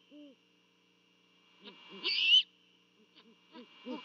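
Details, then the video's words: Great horned owl pair at their nest in Savannah on the night of 24 December 2021, during a mating duet: one deep hoot, then a loud, harsh, high squealing begging call, followed by soft, low, scattered hoots over a constant high hum. "Great Horned Owls mating in Savannah on Christmas Eve (12/24/21)"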